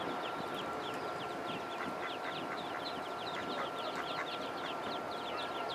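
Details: Baby ducks in a pond give a busy chorus of high, thin, downward-sliding peeps, many birds overlapping rapidly, above a broad steady background rush and a faint continuous whine.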